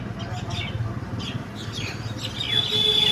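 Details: Mynas in a roadside fight: short, harsh downslurred chirps at intervals, then a thin sustained whistle, above a continuous low traffic rumble.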